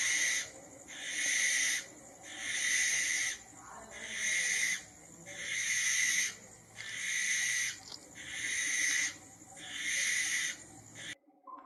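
Barn owl giving six long, harsh, hissing screeches, each about a second long, repeated roughly every two seconds.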